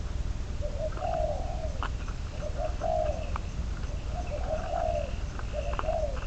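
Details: Spotted dove kept as a decoy bird for trapping, giving soft, hollow, low coos in short phrases about every two seconds over a steady loud background hiss, with faint higher chirps of other birds.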